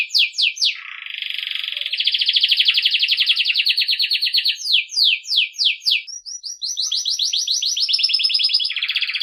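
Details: Campainha song of a Belgian canary, used to train young birds: quick descending slurred notes alternating with long rattling rolled trills, ending on a lower sustained roll.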